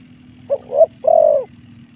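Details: A single phrase of a spotted dove decoy call for luring wild doves to fight: two quick soft coos, then one longer, slightly falling coo, with a low background hum and faint high chirps.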